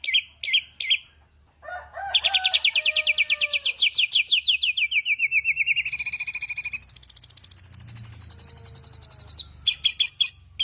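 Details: Varied bird song: a few sharp high notes, a long falling series of rapid chirps, then a high sustained trill and closing bright phrases.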